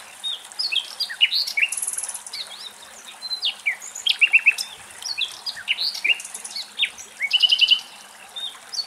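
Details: Nightingales singing in Greek countryside in the morning, a dense mix of quick chirps, whistled notes and short buzzy trills in repeated bursts, several birds overlapping with brief gaps between phrases.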